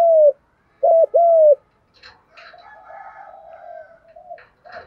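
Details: Male and female spotted doves calling to rouse birds for training: a loud low coo, then a hooked double note and a long falling coo, followed by a softer wavering low cooing with light clicks.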